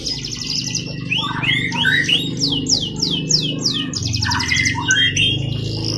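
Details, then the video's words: Canary song meant for training other birds, varied phrases of descending slurs repeated in a run, fast trills and warbles, with a constant low hum behind. "SUARA BURUNG KENARI GACOR COCOK UNTUK MASTERAN"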